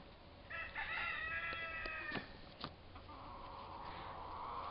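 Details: Two young turkey toms, about four months old, fighting; a burst of harmonic, slightly wavering calls followed by sharp clicks and a drawn-out noisy rasp.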